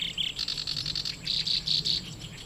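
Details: Black-browed reed warbler singing in grassland at Watarase retention basin, Japan, while incubating eggs; short series of rhythmic buzzy high notes repeated about five times a second, briefly pausing mid-phrase.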